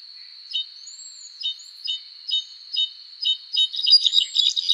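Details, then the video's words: Azure-rumped tanager giving short, high chirps repeated about once a second. The notes grow denser and busier toward the end, over a constant shrill insect drone. "Cabanis's Tanager Bird Song Video: Azure-Rumped Tanager"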